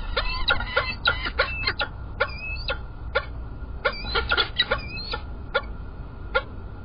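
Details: Sharp, rapid calls from peregrine falcons at Illkirch-Graffenstaden, recorded 3 February 2018. The calls come in quick irregular bursts, crowded at the start and then spaced out, over a low constant hum.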